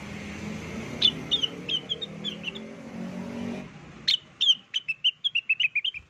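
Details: Song of the blue-winged leafbird for luring: sparse sharp whistled chips over a low hum, then a brisk run of slurred descending whistles repeated rapidly.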